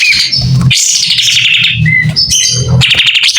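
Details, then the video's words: White-rumped shama singing with tail fanned: bright whistled notes and a drawn-out high warble over a low rhythmic thumping background. "Kapas tembak gacor buka ekor.. SUARA JERNIH"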